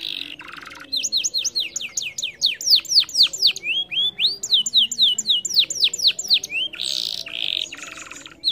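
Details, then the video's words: Canary song used to coax a canary reluctant to sing: fast series of high whistled notes sweeping downward, about four per second, broken by harsh buzzy bursts at the start and near the end. "PANCING KENARI MALAS BUNYI DENGAN INI"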